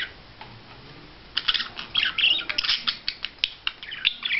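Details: Courtship display of a budgerigar: after a quiet opening second, a lively burst of squawky chirps and clicking warble notes, repeated in quick pulses to the end.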